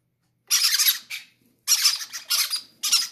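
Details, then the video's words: Baby parrots, greedy as a sign of health, begging for food indoors; raspy, screechy squeals in short pulsing bursts, roughly one per second, with brief pauses. "greedy baby parrots say i want to be the first to eat"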